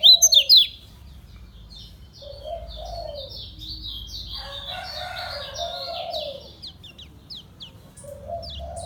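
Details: Lombok yellow white-eye, kept in a cage, delivering slow ngejos-style song: rapid, high, jumbled twittering of sharp chirps and slurred notes running almost nonstop, with softer lower whistled phrases beneath.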